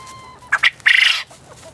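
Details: Male Japanese quail, one of eight in a backyard garden pen on a pleasant late afternoon, April 20, 2010, gives its three-part crow, described as the sound males make when amorous: two quick sharp notes, then a longer buzzy rattling phrase, over faint hum.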